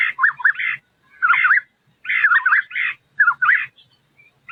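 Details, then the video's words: White-browed scimitar babbler, a small bird, uttering clustered bursts of wavering, liquid whistled notes roughly once a second, with brief pauses between phrases and a quiet background. "White-browed Scimitar Babbler small bird so lovely"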